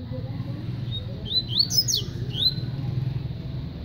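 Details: Coleiro from Paraíba delivering a brief run of sharp, high slurred whistles, some sweeping up and others dropping, lasting just over a second against constant low rumbling noise.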